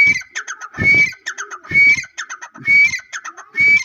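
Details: A pair of black francolins, called black teetar or Irani teetar, giving loud harsh grating phrases with a thin whistled streak, repeated about every second, with rapid clicking notes between the phrases.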